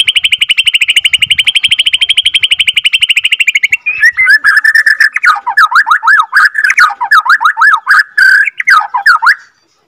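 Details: Second-generation captive-bred white-rumped shama from Borneo, long rolling song used to excite other shamas: a buzzing rapid rattle for four seconds, then loud varied whistles, swooping zigzag notes and sharp chips.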